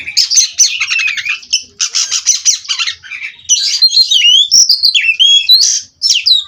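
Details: Captive-bred Oriental magpie-robin singing a nonstop rolling song: rapid buzzy trills and rattles alternate with bright, sliding whistled notes, the phrases running almost without pause in a quiet indoor setting.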